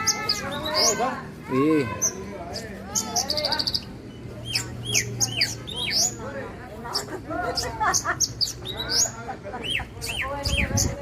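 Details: Javan bushlark of the parva form singing: a busy run of short sharp chirps, quick upslurred and downslurred notes and brief high buzzy trills, with low harmonic voice-like sounds underneath and steady background hum.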